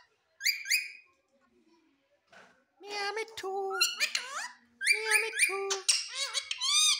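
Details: Talking Indian ringneck parrot in a small room, giving two short squeaks, then a run of rapid speech-like syllables with buzzy harmonic notes and squeaky rising whistles, continuous near the end.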